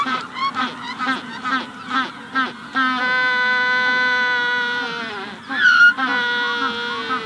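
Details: A Magellanic penguin in a colony at hatching time gives a series of short gasping honks, then a long, sustained, donkey-like bray. The bray breaks briefly and resumes strongly. A rufous-collared sparrow is in the background.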